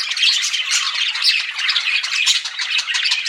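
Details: Pet budgies, said to be flirting, chatter in a dense stream of short squeaky chirps and buzzy warbled notes, several birds calling over one another in quick succession.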